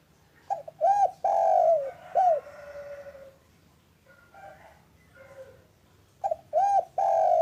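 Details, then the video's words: Spotted dove, local type, calling in the afternoon to stimulate other doves: repeated rich coo phrases with arched notes and long falling coos, separated by quieter murmured notes. "Suara indah burung derkuku lokal gacor untuk pancingan cepat bunyi"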